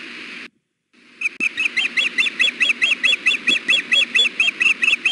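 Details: Fussing female osprey on the Hellgate nest, 6 June 2016 around 4 pm on a hot 93-degree afternoon, begging the male for fish: after a short silence, a fast, steady string of shrill piping chirps, roughly three each second.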